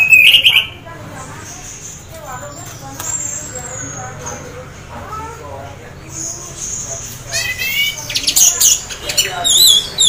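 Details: Orange-headed thrush half in breeding condition, kept to prompt other thrushes to sing: an opening whistled phrase, then a quieter stretch of soft notes before high, rapid trilled and scratchy phrases build toward the end.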